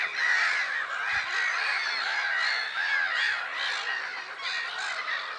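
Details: Black-headed gulls in numbers at Lake Sarymsak, Pavlodar Region, Kazakhstan, on 10 April 2011: a loud, unbroken tangle of raucous squawks, plus a couple of low thumps.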